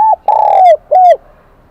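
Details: Ringing high 'kim đồng' coos of a wild-caught spotted dove: a short clipped note, a long sustained coo, then a clear arched coo.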